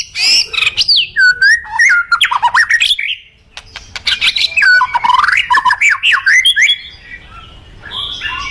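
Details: Caged white-rumped shama, murai batu, singing energetically: a dense stream of loud sweeping whistles, harsh chattering notes and rapid mimicked phrases, a brief pause near the middle, then more varied whistled runs.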